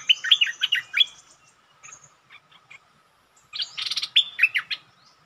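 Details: A bulbul challenges the local territory owner: a quick cluster of liquid, warbled whistles, a few soft isolated notes, then a second burst of sharp, slurred phrases.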